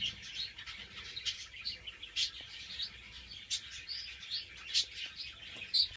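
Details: Antillean siskins kept as captive breeding pairs, among them males from 2013 and a 2014 male not in full colour, utter a steady string of short, high, sharp chirps, some louder accents standing out against soft background chatter.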